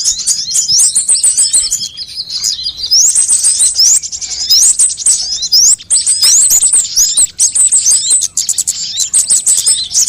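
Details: ['Sunbirds of many kinds, played as a lure to bring birds to sing: continuous high-pitched twittering with repeated quick upslurred whistles, many overlapping chirps, dropping briefly quieter near the start and around seven seconds.']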